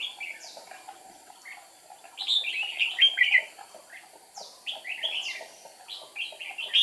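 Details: Red-whiskered bulbul decoy singing during trapping, 8 April 2019, to lure wild rivals: after quiet chirps, a loud burst of rich, slurred whistles, then further short, bright phrases and high chirping notes.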